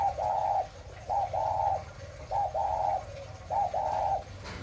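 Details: Breeding spotted dove of the 'mã phân hồng' type giving clear hollow coos: a brief note then a longer sustained coo, repeated about every 1.2 seconds, with faint low background hum and a click at the end.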